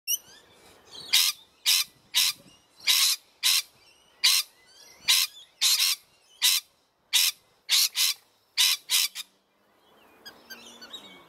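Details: A pair of rainbow lorikeets near their nest in a backyard give about fourteen harsh, shrill screeches, several per second, with faint twittering from other birds before and after.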